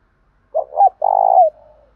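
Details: Spotted dove calling in the 'thổ pha' voice style, a call meant to provoke rivals to fight. A low hollow coo opens, a second note swoops, then a long buzzy, vibrating note ends in a downward slur. No other sounds.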